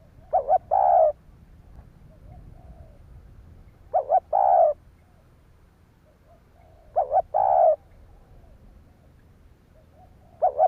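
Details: A spotted dove coos to rouse other doves. Phrases repeat roughly every three seconds, each a rapid two-note stutter run into a drawn-out hollow coo, with quiet low rumble between.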